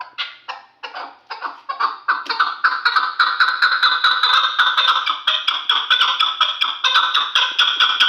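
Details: Kulob hunting chukar partridge, three years old, giving a long accelerating run of loud, throaty chuck notes that build into a steady rapid rhythm of roughly two to three per second.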